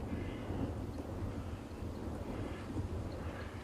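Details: Steady wind buffeting and low vehicle rumble throughout, with no animal voice heard.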